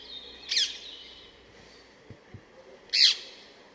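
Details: Two loud, harsh screeching calls of a rose-ringed parakeet about two and a half seconds apart, with faint low taps between them.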